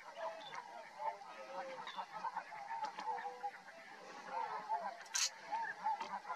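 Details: Chorus of tundra swans at Rosedale and Munson, Drumheller, Alberta, Canada, with many overlapping high honking calls in rapid, irregular succession and one brief sharp click near the end.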